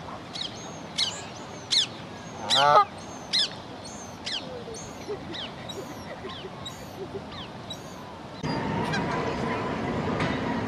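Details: Two young lesser black-backed gulls begging their parents for food without result, one irritated parent flying away. Thin, high whistled calls repeat about twice a second, one louder, harsher squeal comes early on, then a steady rushing background rises near the end.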